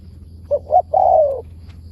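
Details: One phrase from a wild spotted dove calling back to a decoy bird: two quick short coos, then a long, smooth, slightly falling coo, over a low steady hum.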